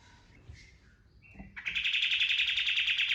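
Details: After faint scattered notes, a kapas tembak bird bursts into a loud, even, machine-gun buzzy trill. The 'tembakan' lure song is used to train birds.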